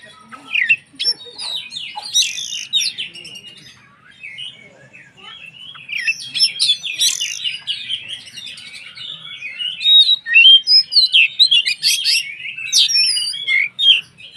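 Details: White-rumped shama singing to provoke rival shamas: long, dense medley of chattering, sharp chips and whistled phrases, rising in intensity toward the end with fast repeated notes.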